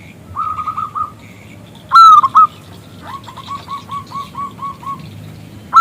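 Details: Local zebra dove with a big, clear voice calling a male to sing: a short coo run, a loud sharp opening note, then a steady chain of rounded coos and another loud note at the end.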